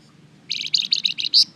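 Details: Golden-bellied gerygone lure song for provoking replies: six rapid high notes in a steady row, the last one louder and more ringing, over quiet background noise.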